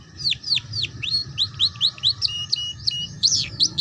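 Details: Canary tutor song for young canaries learning the ngeriwik style: a quick series of high, sharply falling whistled notes, about four per second, ending in brighter upswept chips, over a faint steady hum.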